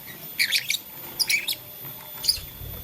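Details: Playing with a flower, blue, lutino and green lovebirds make three brief bursts of high, harsh chirps, each a quick cluster of squeaky notes with short silences between.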